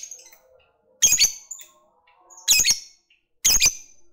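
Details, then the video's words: Fighter lovebird calling to stir up a rival male's emotions; three harsh, buzzy high squawk bursts at uneven intervals, with soft thin twitters and squeaks heard in the gaps. "Ketikan Labet ini Merangsang Lovebird Fighter Cepat Narik Ngekek"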